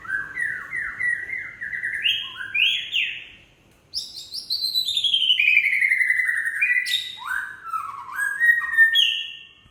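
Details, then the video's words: White-rumped shama of the Aceh type singing in gebrak style: loud, varied whistled phrases, stepping upward in pitch, a short pause, then fast buzzy descending runs and sharp jumps into high notes. "Murai Aceh Gebrak"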